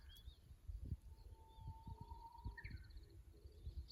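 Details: Faint Japanese bush warbler from a fixed camera at the Kusu tank road, 25.04.24: a long even whistle, then a brief higher twisting phrase, with low thumping rumble and a soft buzzy trill from another bird.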